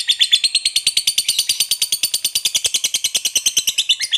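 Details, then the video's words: Lovebird giving a long ngekek trill, a lure recording meant to prompt other lovebirds to answer: rapid harsh chattering notes repeated about three times a second, steady and buzzy, continuing throughout. "Pancingan Suara Lovebird Ngekek Panjang"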